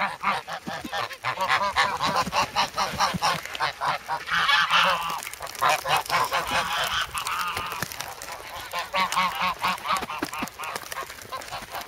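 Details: Noisy, hungry geese in snow at Sloterpark, Amsterdam, on February 3, pecking at a person holding bread; Sanyo SH1 camera. Overlapping raspy honks from many birds, loudest mid-clip, with some clicking handling noise.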